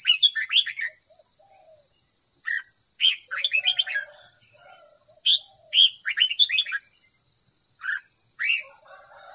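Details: Red-whiskered bulbul in a fiery 'căng lửa' morning song for voice training: bursts of quick, bright, slurred whistles in rapid clusters with short pauses, plus softer low warbles, under a constant high-pitched hiss.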